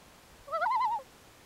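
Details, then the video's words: A loon at night gives one brief tremulous call, a quick rising note that breaks into a wobbling, quavering tone for about half a second, against a quiet background. "Loon sounds at night"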